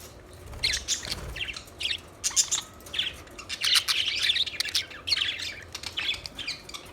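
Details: Budgerigars chattering continuously: dense, high, scratchy warbles and chirps run together for several seconds, rising and falling in loudness.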